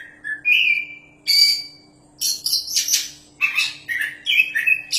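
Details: A champion kacer, the Oriental magpie-robin, sings a rich phrase: a long level whistle, then dense raspy, buzzy bursts and sliding whistled notes in rapid succession, faint hum behind.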